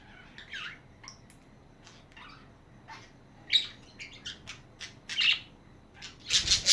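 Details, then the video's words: Pet budgerigars chatter in a run of high, scratchy chirps and warbled notes with short pauses, ending in a burst of loud, harsh squawks. "Hours of chatting budgies"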